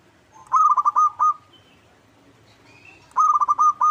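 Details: Local zebra dove (perkutut lokal) lure song, played to make other doves sing and answer: two bursts of quick, hooked, cooing notes at an even mid pitch, each a stuttering run of about six beats, separated by a quiet gap.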